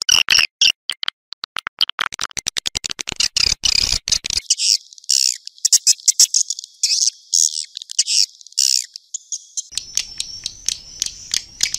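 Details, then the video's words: Swiftlet house lure sound of outdoor swiftlets: rapid bursts of high clicking chirps that quicken, then a scratchy, buzzing chatter, and a thin rising whistle near the end. "Âm Thanh Nhà Yến"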